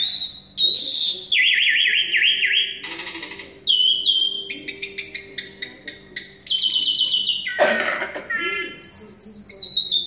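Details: Asian pied starling from Semarang in full song: a varied medley of wavering whistles, rapid rattling trills and harsh squeaky notes, changing every second or so.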